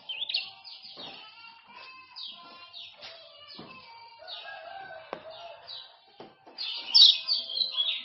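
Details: Male common iora of Lombok, 'ciak-ciak' chatter for tutoring silent birds: softer series of descending high notes with occasional clicks and knocks, ending in a louder rapid burst.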